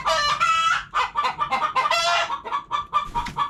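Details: Hens give loud, overlapping clucks and drawn-out cackling squawks in a quick, uneven burst, the notes harsh and ringing with little pause between them.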